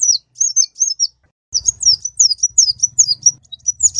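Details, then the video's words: Kolibri ninja sunbird calling loudly: a few high slurred notes, a brief silence, then a quick chain of sharp falling phrases over a low rumbling hum. "suara burung kolibri ninja gacor"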